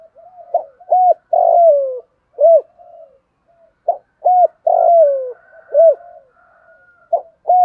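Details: Spotted dove kept as a decoy, cooing to draw in other doves: repeated phrases of short paired hoots and a drawn-out coo that slides lower, with soft murmurs between phrases and a faint higher whistle late on.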